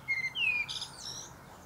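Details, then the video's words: Male common blackbird singing from the top of a pear tree. A short phrase: two clear whistled notes slide downward, followed by a quick high twittering flourish. "Blackbird Singing"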